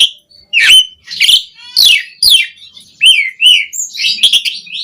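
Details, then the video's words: Asian pied starling, lure song to make caged birds sing: loud harsh rasping bursts give way to rising and falling whistles and a busy high twitter. "Suara Burung JALAK SUREN GACOR Full Isian Pancingan PENDONGKRAK Emosi Burung Jalak Agar Cepat Gacor"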